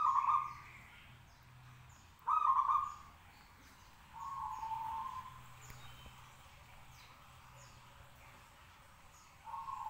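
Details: Local zebra dove singing eagerly from a hoisted cage to draw answers from other doves: low, bubbly cooing phrases, a louder opening, another at two seconds and a longer softer one near four seconds, with faint high chirps of other birds behind.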